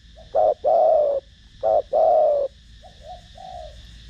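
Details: Spotted dove cooing in the Thổ Đồng voice to lure other doves: two close loud phrases, each a short note and a long sustained falling coo, followed by three soft quieter coos.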